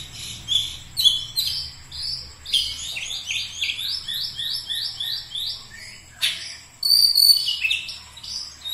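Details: Oriental magpie-robin (kacer) repeating a run of rising, slurred whistles several times in a row, then breaking into sharper high chirps and a brief loud flourish, over a soft low hum.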